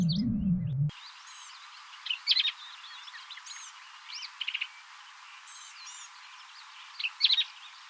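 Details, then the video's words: A singing Black-capped Vireo at the Shin Oaks observation deck near Austin, Texas, in scrubland managed for the species, gets boisterous around 8:30 am. Its short, harsh, chattering phrases come every second or two amid faint other birds. "If you think it's hard to sneak up on a deer, try to get a look at one of these singing black-capped vireos."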